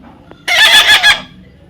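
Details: Baby parrot in the middle of being tamed, producing a loud, scratchy, pulsing screech of about three quick beats across under a second, with a person talking before and after.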